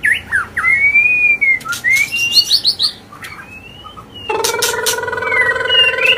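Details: White-rumped shama pouring out agitated song to provoke other birds: smooth whistled slurs and chips, then a loud harsh nasal buzzing note that holds near the end.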